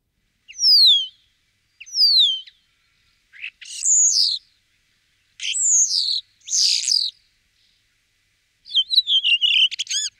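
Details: Common starling with two high, descending slurred whistles, then buzzy warbled phrases separated by pauses. It ends in a quick burst of clicking rattles.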